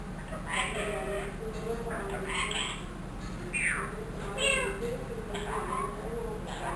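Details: A one-year-old trained ringneck parrot kept as a pet, talking and meowing: a run of squawky, speech-like syllables with quick upward sweeps and nasal drawn-out notes, louder toward the end, over steady background hum.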